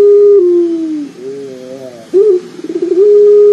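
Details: Local Barbary dove, a loud, bass-heavy caller used as a lure to set other doves calling: a long, deep, steady coo that sags in pitch, a softer wavering stretch, then a rapid stuttering roll before the low coo resumes.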